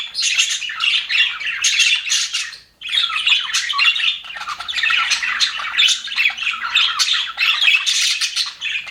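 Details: Happy budgerigars in an aviary produce a busy stream of rasping warbles and high chirps from several birds at once, dropping briefly to near silence before resuming just as densely.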